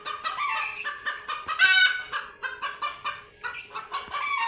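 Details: Chickens panicking at their first sight of cats utter quick nasal clucks and a sudden shrill shriek, the clucking continuing in loud rapid bursts.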